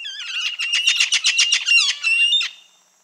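A Red-fan parrot gives a rapid run of about ten harsh, grating notes, roughly four per second, ending in a higher squealing note. No other sounds are heard.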